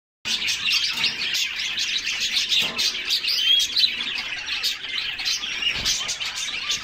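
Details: A group of canaries singing while splashing in a cool bath in summer; a dense, continuous chorus of high, rapid chirps and twittering trills with brief whistled notes overlapping throughout.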